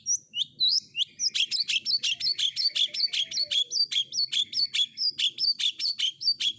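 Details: Long-tailed shrike combination fill-in song used for training: a few high whistled notes, then a dense, fast chattering run of short sharp repeated notes.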